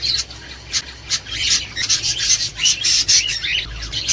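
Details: Budgerigars calling, sound for stimulating breeding, mating and laying; rapid harsh chirps and raspy warbled phrases in quick pulses, growing busier after the first second.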